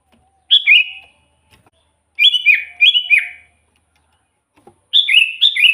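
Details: Sooty-headed bulbul in lively song used as a lure for trapping wild bulbuls: three bursts of bright, bubbly whistled phrases, each a quick descending pair or triplet of notes, separated by short silences.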